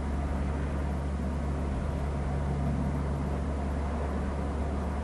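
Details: Steady low engine-like rumble with a constant hum and broadband hiss throughout; no animal calls.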